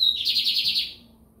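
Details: White-throated seedeater singing, from São Luís, Maranhão: a high clear whistled note, then a fast buzzy, rippling trill that slowly drops and fades within a second.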